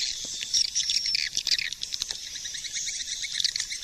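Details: Lure sound for swiftlets, SP4 from 2020: shrill overlapping twittering and squeaky chirps forming a dense high-pitched chatter.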